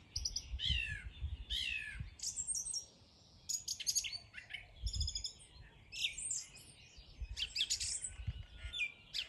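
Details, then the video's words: High twittering and chirped bird phrases in the morning, over a soft low rumble of background noise. "Bird 🦅 singing 🎶 in the morning"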